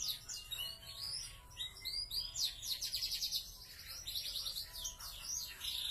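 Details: Caged canary of the YS and F1 YS lines, described as big-bodied and in full song, delivering a continuous rapid high warble of trills, rolls and sweeping whistled notes with hardly a pause throughout.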